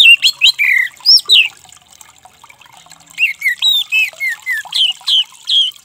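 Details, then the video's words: An orange-headed thrush, used as a therapy call for stressed birds that have stopped singing, sings rapid bursts of loud, clear, slurred whistles, many falling in pitch, in two phrases separated by a brief pause. "Suara terapi Anis merah macet bunyi"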